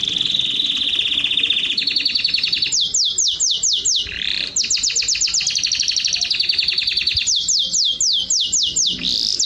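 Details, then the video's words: In Jordan, a canary in mating condition delivers a varied song: steady high buzzy trills, series of sharp descending whistled sweeps, a low warbled dip, then more rapid trills and sweeps. "تغريد أجمل ألوان الكناري"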